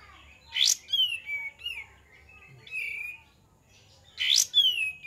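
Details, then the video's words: Cream-vented bulbul: a sharp upward-swept note, then a run of bright, gurgling whistles falling in pitch, the phrase repeating about every three and a half seconds; used as a lure call. "PANCINGAN KAPAS TEMBAK"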